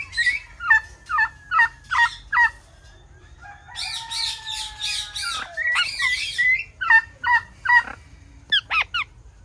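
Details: Parrot calling: repeated clipped downward calls, about two per second, broken by a longer stretch of harsh, noisy screeching and a drawn whistle, then more rapid calls.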